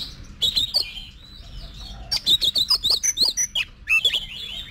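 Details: Oriental magpie-robin trained to sing in competitions: a rapid run of about ten high, clipped whistled notes, then more warbling, over a faint low hum.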